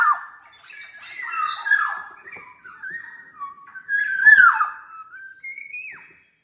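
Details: Chattering black-naped oriole (gacor) alternating wavering flute-like whistles with scratchy, slurred squawks; a loud harsh burst mid-phrase, then a clean rising whistle before it fades out.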